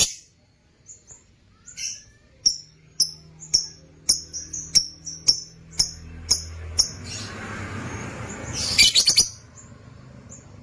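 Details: A colony of Lutino opaline lovebirds in a cage gives a series of short, sharp, high chirps about every half second, then a dense burst of rapid shrill notes over a rustling, clattering background.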